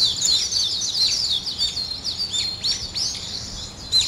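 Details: Early-morning birds chirping: quick high twitters and sweeping whistled notes, many voices overlapping, slightly thinning toward the end.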